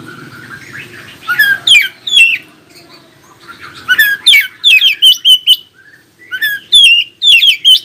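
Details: Oriental magpie-robin in full song, played to get other magpie-robins to answer: loud whistled phrases with sweeping slurs and sharp chirps, repeated in quick bursts about every half second, over a faint low hum.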